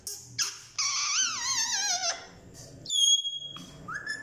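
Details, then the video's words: Pet talking parrot indoors, coaxed to say the Hindi word for mummy: a wavering, voice-like drawn-out call with many harmonics, followed by a sharp high whistle and a short rising note. "amazing talking parrot"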